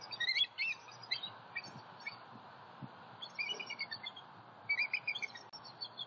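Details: Bald eagle calls at a Southwest Florida nest on the morning of 28 October 2019, as a three-year-old sub-adult visits. High, thin chittering notes come in short, quick series, over a steady broad background hiss.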